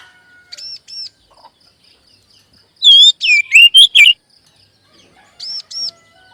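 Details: Magpie robin prompting song recommended for settled and speckled young birds. Soft paired arched chirps are followed by a loud second-long flourish of swooping whistles and rapid notes, then more soft paired chirps.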